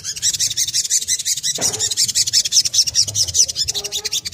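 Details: Ngriwik kemrecek song of a crimson sunbird, used as a lure for other crimson sunbirds to sing: a continuous, rapid, very high chattering trill that barely pauses throughout.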